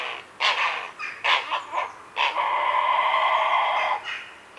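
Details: Grey heron calling at a heronry in the afternoon: short harsh squawks, then one long, rasping, drawn-out screech held for almost two seconds before fading, with background birds faintly heard.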